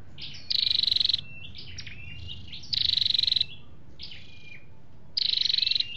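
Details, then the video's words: Flowerpecker, male and female sounds on a lure recording for trapping or stirring caged birds: high buzzy trills of rapid pulses about every two seconds, with thin whistled and chipping notes between them. "tiếng chim sâu đâu đỏ"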